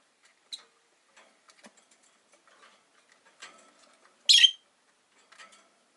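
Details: Faint clicks and light tapping from rosy-faced lovebirds in a cage by a window, five birds in all, broken by one loud, harsh chirp late in the stretch, with softer chirps around it.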